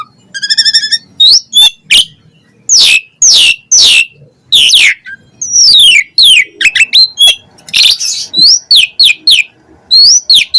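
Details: Asian pied starling singing a varied string of mimicked phrases: a buzzy stacked trill, harsh rasps, and quick whistled notes rising and falling in rapid succession.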